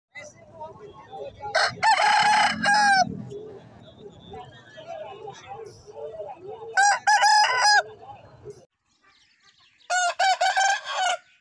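Three loud roosters' crows, each a harsh, drawn-out cock-a-doodle-doo about a second long, over a low murmur of clucking hens and background chatter.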